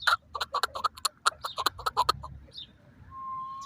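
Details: Chukar partridge, known locally as chakor or kiklik, in Pakistan: a fast series of about fourteen harsh clucking notes over two seconds, then a quieter pause with a faint steady tone.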